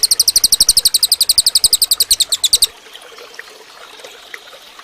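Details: Cililin bird recording meant for training other songbirds: a fast, very high, dry trill of sharp repeated notes, about eight per second, lasting under three seconds, then faint background birds and soft hiss.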